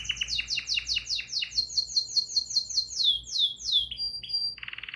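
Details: Singing bulbul delivers about a dozen quick, sharply down-slurred whistles in a rushing series, followed by a short flat whistle and a brief buzzy trill.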